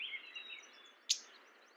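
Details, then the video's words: A mourning warbler calls: a single sharp, high chip note, with faint thin twittering and quiet background hiss. "Mourning warbler Calling"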